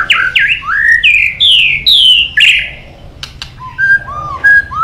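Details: Loud, rich white-rumped shama phrases of swooping whistles, rising and falling slurs with sharp clicks, followed by softer, lower whistled notes.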